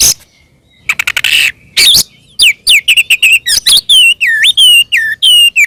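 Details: Oriental magpie-robin in combative full song, used to stir other magpie-robins to reply: a harsh burst, then a string of clear whistles with dipping, curling downslurs, repeated in quick succession.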